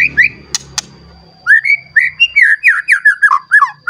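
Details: White-rumped shama in an agitated state, seeking a rival and showing off its repertoire: two clicks, then a lively run of clear, slurred whistles rising and falling in quick succession, rich and melodious.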